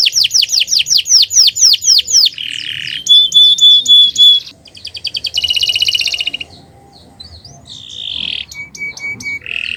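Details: Varied canary song recorded as training material for other birds: falling whistled notes repeated quickly, then a held pure whistle, short rattling trills, soft pauses and clear sustained tones.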